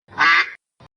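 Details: A duck's single harsh, nasal quack, broad and rough, trailing off, then a brief quieter quack a quarter second later.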